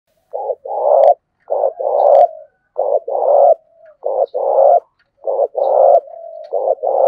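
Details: Spotted dove cooing, used to train and lure doves: short paired low coos followed by a longer rough coo, phrases repeated rapidly about every second, loud and close.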